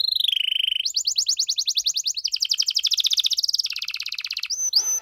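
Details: A canary in full cengkok mewah gacor song, played to make other canaries respond, runs through a bent whistle into several fast high rattling trills at changing pitches, closing with short clear whistles.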